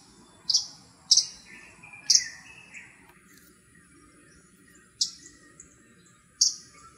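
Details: A vocal Arctic warbler, recorded on November 18, 2021, gives five sharp, high, buzzy 'dzik' notes at uneven intervals, with softer lower chirps in the background.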